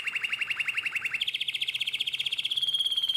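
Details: Canary in nightingale-voiced song style, Drama, Greece, 2017: rapid rhythmic trill at a steady pitch that jumps higher after about a second and later switches to a thinner, still higher trill.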